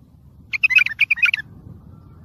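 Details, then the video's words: Tayyariyat sihan bulbul song, used for training and stimulating young bulbuls: a short, lively phrase of fluty, warbling notes lasting under a second, over faint low background rumble. "سمع بلابلك طياريات سيحان روعه صوت ماينوصف للتخريج وتحفيز"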